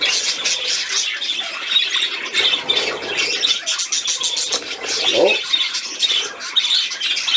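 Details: Budgerigar playing, 13 December 2019: busy, high chirping and scratchy warble that never stops, with a short lower sliding sound near the five-second mark.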